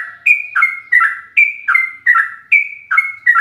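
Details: Fast 'ropel' song of a sooty-headed bulbul, a master recording for caged birds: a high level whistled note, then a lower burry double slur, in tight rhythmic groups repeated about every half second.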